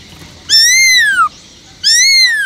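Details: Two long, loud, ringing whistles from a caged Black-throated laughingthrush singing in wild-voice style (giọng rừng), each rising slightly and then gliding down, over low background hiss.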